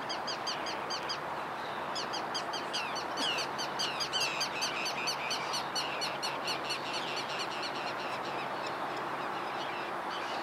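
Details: Forster's tern (Sterna forsteri), recorded 12 May 2011, giving rapid, repeated high chattering notes in quick bursts over steady rushing wind and water.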